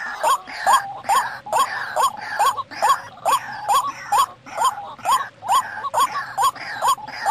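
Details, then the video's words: Lure sound of a white-breasted waterhen: insistent rising croaks repeated evenly about twice per second, each note buzzy and harmonic-rich, with quieter echoing notes filling the gaps. "SUARA PIKAT| burung ruak-ruak"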